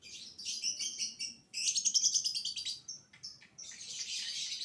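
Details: Fast, scratchy trilled chatter from a young lovebird in 'biola' style, meant as a lure for other lovebirds; pulsed rasping phrases speed up in the middle, then give way to a dense hissy twitter.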